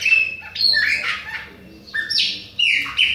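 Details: Bahia-type Chopi blackbird singing without pause at other birds, giving sharp whistled slurs that rise and fall, a quiet gap in mid-phrase, then renewed bright whistles.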